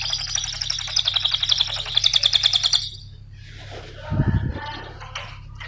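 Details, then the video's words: Cililin, recorded as training lure audio to make cage birds sing, gives a rapid, ticking high trill for nearly three seconds. Scattered fainter chirps and a brief low thump follow. "Mp3 suara Cililin RAPAT GACORNYA,pancingan cililin SEMUA jenis Burung Berjuara,cara masteran cililin"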